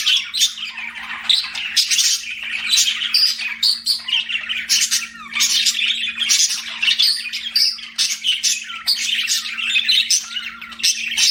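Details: Pet budgerigars chirping in a steady, dense stream of short squawky and warbling notes, many overlapping birds chattering continuously, with a faint low hum underneath.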